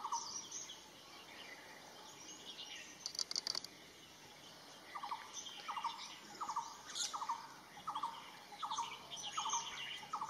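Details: Red-billed blue magpie in Himachal Pradesh (Kangra), India, giving a steady series of short, harsh, scratchy notes about twice a second; thinner high chirps from other birds and a few sharp rustles are also heard.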